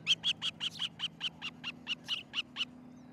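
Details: Osprey at a nest in Charlo, Montana, on a July 2018 morning; an even string of about thirteen loud high whistled yelps, roughly four per second, slowly fading, over a faint low hum.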